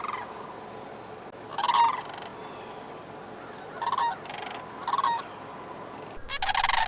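Sandhill Crane flight calls: four loud, rolling, trumpeting rattles at irregular intervals over a steady low background hum.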